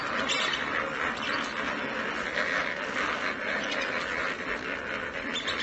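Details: A flock of lesser flamingos, just released from their indoor quarters, calls together in a continuous dense chorus of nasal, honking, goose-like notes overlapping throughout.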